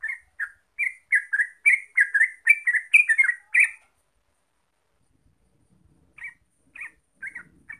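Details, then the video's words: Fast 'gacor ropel' song of a yellow-vented bulbul, known locally as trucuk, used to prompt singing: a quick burst of bubbly chirps for about four seconds, silence, then a few fainter notes. "Pancingan Trucuk Biar Gacor Ropel"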